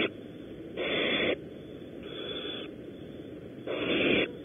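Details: Barn owls at a nest at Audubon Starr Ranch, California, around prey deliveries: three loud, raspy hissing screeches of roughly half a second each, the middle one softer, over a steady noise floor.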